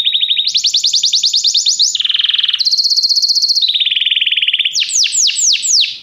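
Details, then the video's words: Canary song for training a bird to sing, built of changing tours: a high rapid trill, a lower buzzy roll, another high trill, a mid-pitched rolling passage, ending in a few loud downward-swooping whistles. "Este canto canário inspira o apetite do seu canário para cantar imediatamente"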